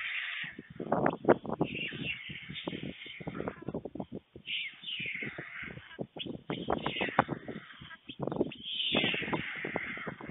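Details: White storks at a nest in Fohrde, Germany, on 21 July 2019 at 1:45 p.m., where an adult male brings lunch to two chicks, caught by a webcam: hoarse, wheezy calls high in pitch over a busy run of dry knocks and rustling.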